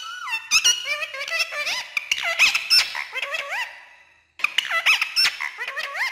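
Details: Talking ringneck green parrot, a pet, mimicking Urdu and Hindi speech: high, squeaky word-like phrases with rising and falling glides, a short silence, then more chattering syllables.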